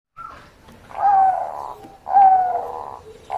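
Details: Bangkok-type zebra dove in full voice, skilled at luring a rival's song: two long, level, whistled coo phrases about a second apart, each with a soft buzzing undertone, then the start of a third.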